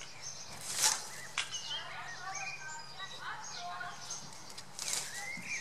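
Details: Common blackbird chicks in a nest built in a garden cherry-laurel bush in spring give thin, high chirps in short bursts; two louder rustling bursts and a low steady hum run beneath.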